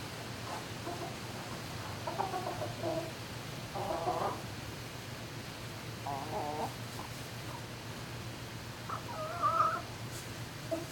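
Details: Turkeys in a barn at night, 11 May 2018: short broken harmonic yelps in scattered bursts, then a clearer wavering whistled note near the end, over a steady low mechanical hum.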